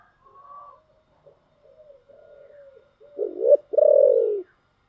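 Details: Spotted dove song in the giọng thổ style: faint, soft coos at first, then two loud, deep coos close together near the end, the second one long and falling.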